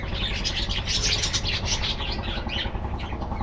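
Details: Budgerigars in an aviary colony, a dense overlapping chatter of short chirps and warbles, with a steady low hum underneath.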